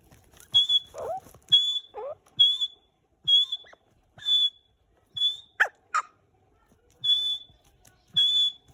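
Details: Partridge (teetar) with a female: short, clear, high whistled notes repeated about once per second, some dropping slightly at the end, mixed with lower harsh squawky notes between them.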